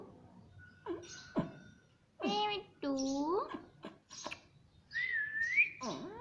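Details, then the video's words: Household parrot talking, saying "mummy": choppy speech-like syllables and sharp clicks, with a loud bent harmonic sound and a higher rising whistle near the end. "Parrot Talking Mummy Mummy"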